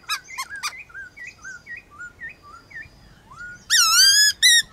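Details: Black-throated laughingthrush dueling in song with wild laughingthrushes outdoors in the morning: clear whistled notes in short rising and falling slurs, a run of evenly spaced phrases, then loud ringing wavering whistles, over a soft background hiss.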